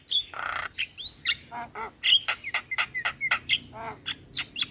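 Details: Javan myna singing actively in a tutoring recording for caged starlings alongside other starlings: a buzzy squawk and an upslurred whistle, then a rapid mix of clicks, low croaks and short bright whistled notes.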